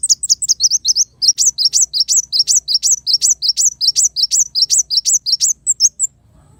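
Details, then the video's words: Rapid, sustained sunbird song: high, sharp, down-slurred notes repeated in quick succession for six seconds with only a brief pause, ending in a few softer chirps; background otherwise quiet. "suara burung kolibri wulung"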